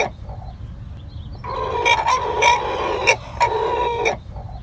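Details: Rooster crowing: a long, steady, hoarse tone broken by sharp clicks, then a pause and a shorter second part that fades out, with a low rumbling background.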